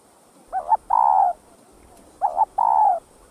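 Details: Spotted dove calling to spur other doves to coo: two similar phrases some two seconds apart, each a quavering two-part note followed by a drawn, burry coo that dips slightly, with light background hiss.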